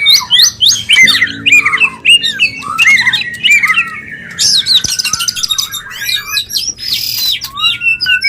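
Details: White-rumped shama mating song, used to bring birds into breeding: dense, fast sequence of varied whistled and chattering phrases, with high buzzy bursts and a sliding whistle in the middle.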